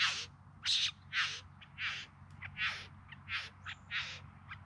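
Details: Courting bowerbird near Melbourne in the Yarra Valley, September 2020; a string of coarse, scratchy notes with brief gaps, some short, some longer, over faint low background rumble.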